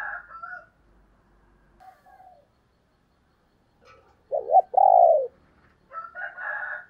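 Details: Female spotted dove giving one short cooing phrase of soft low notes ending in a long falling coo, set between scratchy higher-pitched rustling bursts before and after.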